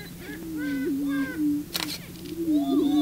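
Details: Male prairie chicken on the booming grounds trying to attract a female: a steady low hooting drone with higher whooping and cackling notes above it, and a camera shutter clicking midway.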